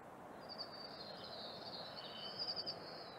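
A Dunnock gives a thin, very high, drawn-out note that holds for nearly three seconds and flickers briefly near the end, over a steady background hiss.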